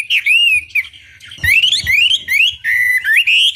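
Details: Chinese hwamei song for luring other hwamei to respond: long, loud, slurred whistles that rise and fall, with a short quieter gap in the middle.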